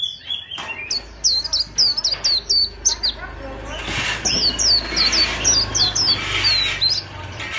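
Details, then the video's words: Competition white-eye singing chòe style: crisp, high downslurred chirps repeated about three to four per second, followed by a second run over a rising noisy background. "KHUYÊN ĐẤU VIP CHÒE"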